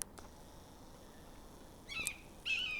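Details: A Red-shouldered Hawk (Buteo lineatus) in tall willows and cottonwoods near Kumeyaay Lake, Mission Trails Regional Park, San Diego, California, on an autumn walk in October 2024, gives two loud, squealy, screechy calls about half a second apart, the second cut off, over faint hiss.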